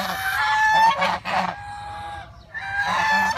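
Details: Geese at Preah Chhor temple, Prey Veng province, Cambodia: a few drawn-out nasal honks, harsh and overlapping, broken by a short quiet gap before calling resumes.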